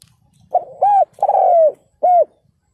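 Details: Spotted dove kept as a ground decoy, calling to lure wild birds: a brief soft lead-in, then three loud, mellow coos. The middle note is drawn out and slowly falling, the last is short and rounded, and the background is quiet.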